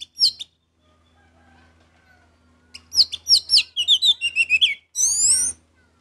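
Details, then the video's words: Orange-headed thrush singing energetically: bursts of sharp, high whistled and chirping notes, a quick run of falling phrases, then a buzzy rising-falling warble near the end. "Anis merah gacor Mendongkrak emosi"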